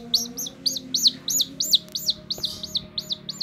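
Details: A chicken chick that runs to its carer's hand peeps loudly and steadily, each note a bright downward-sliding cheep, about three per second, over a faint indoor hum.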